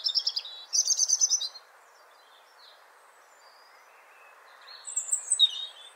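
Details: European robin giving rapid, high trilled phrases at the start: quick buzzy runs of notes. A long pause follows, then a further sequence of sharp, very high sliding whistles over a quiet background hiss.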